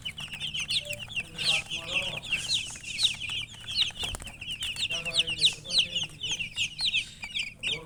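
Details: Persistent high chirping of chickens, short sharp peeps repeated in rapid overlapping runs throughout, with one faint thump midway and a soft low hum.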